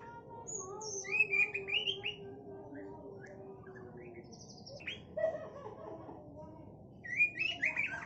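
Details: White-rumped shama song, called MB Sabang: varied whistled and chattering phrases, high sweeping notes and rapid twittery runs in bursts, quiet gaps between, with a steady low whistle-like tone running underneath early on.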